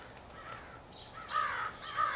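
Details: Crows from a big extended group, possibly selecting mates; two loud rasping caws in the final second after quieter overlapping calls, recorded April 2015.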